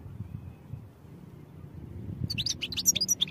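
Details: Goldfinch song for training starts after two seconds of low hum, breaking into quick, high, tinkling twitters with short clear whistled notes repeated rapidly.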